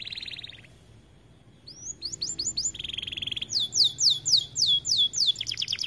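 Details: White AF canary from an aviary in full song after a brief quiet start: a buzzy burst, rising slurred notes, a dry buzz, then rapid repeated downward-swept high notes forming a loud trill.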